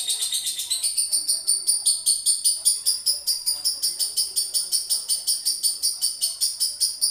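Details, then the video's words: Long-duration ngekek from a male lovebird: a rapid, evenly pulsed high-pitched chatter sustained for the whole seven seconds, each shrill note repeating roughly two to three times a second without a break. "lovebird jantan ngekek durasi"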